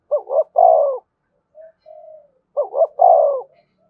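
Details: Spotted dove cooing to draw in wild doves, which are said to respond eagerly. Two phrases, each a quick broken double note and then a long steady coo. Faint low soft notes fall between them.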